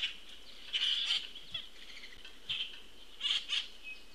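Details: Juvenile Common Grackle being fed by an attentive parent, nest-cam feed, June 22, 2018, 14:29: harsh, raspy begging notes, mostly in paired bursts about a second apart, over a steady background hiss.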